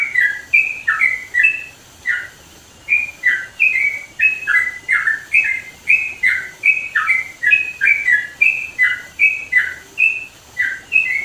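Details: A yellow-vented bulbul, recorded in the mountains of East Java, sings loud, bubbly, chattering phrases of short liquid notes, about three a second, repeated steadily with brief pauses, over faint hiss.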